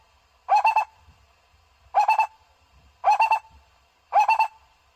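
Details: Four separate bursts of three rapid hollow pulses, about a second and a quarter apart, from a barbet used to lure birds.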